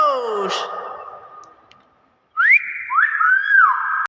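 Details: Common hill myna giving a long falling whistle that fades out, then after a silence a pair of quick upswept whistles, each held as a steady tone. Voices are faint in the background.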